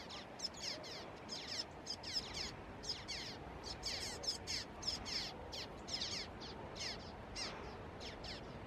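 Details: Juvenile common waxbills recorded on 30 November 2016 at Canidelo, Vila do Conde, Portugal: a busy run of short, high, thin descending chips repeated rapidly throughout, several birds overlapping, over a soft hiss of background noise.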